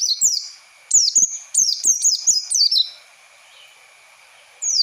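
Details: Training lure for young birds featuring an Oriental white-eye: a fast series of sharp, high, falling whistled notes, then a pause, then one more phrase, with a faint steady tone.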